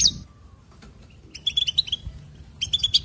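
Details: Brief goldfinch phrase: a sharp opening note, a pause, then a quick series of bright, bouncing chirps, with another short run at the end.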